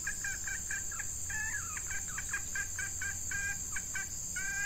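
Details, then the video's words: A female red junglefowl used as a decoy to lure wild junglefowl, in hot breeding-season weather, gives a quick series of short nasal clucks, some drawn into brief rising notes, over a steady high insect drone. "Ayam Hutan Pikat Betina"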